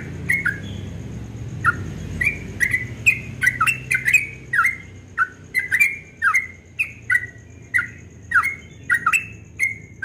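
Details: Yellow-vented bulbul in rapid 'ropel' dawn song, described as very melodious: short bubbly notes near the same pitch, each dipping then rising, repeated about twice a second for ten seconds, with sharp clicks over a low background hum.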